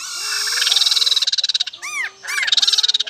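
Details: Laughingthrush song with a long rapid pulsed rattle that grows louder. Two loud looping whistled notes follow, then the fast rattle resumes.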